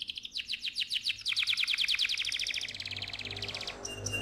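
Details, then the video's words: AF canary in full, energetic voice giving a loud rolling song (ngerol): a fast, high string of repeated, bright chirping notes, speeding into a tight trill before fading near the end, with a faint low hum behind. "KENARI AF GACOR, NGEROL VOLUME KERAS"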